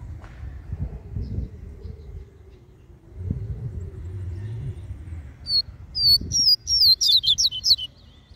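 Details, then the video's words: Coleiro song in the mateiro style, used to stimulate males: after a low rumbling hum, a quick series of sharp, high whistled notes, each sliding downward, lasts about two seconds. "Canto do coleiro MATEIRO Pra esquentar macho"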